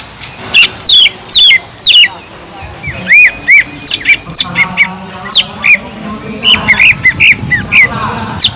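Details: Greater green leafbird singing actively with kingfisher-imitation notes, used as a lure recording: loud, sharp whistled notes, some arched and some falling, in irregular bursts, with faint murmur beneath.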